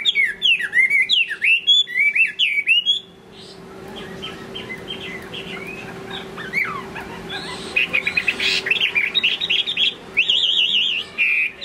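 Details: Late-afternoon Chinese hwamei singing: fast, looping whistles at the start, a softer stretch of scattered notes, then renewed bright, repeated warbled phrases, all over a low electrical hum.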